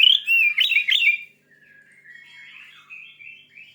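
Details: Fierce Oriental magpie-robin song, played to rouse a listener's own bird: a second of loud, sweet whistled notes with sharp upward slurs, then a long, quiet, rambling warble.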